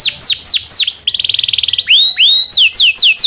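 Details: Domestic canary singing master song for canary training: looping falling whistles, a fast buzzy trill, then rising slurs and more swooping downward notes.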